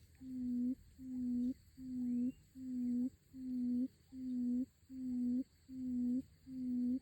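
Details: Crested partridge, known locally as puyuh hutan, giving a low, mellow, steady hooting whistle, each note about three-quarters of a second with a slight lift at the end, repeated evenly about once a second; quiet background.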